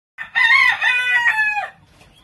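A Golden Laced Polish chicken gives a single harsh, strained crow lasting about a second and a half, rising at the start and trailing off at the end.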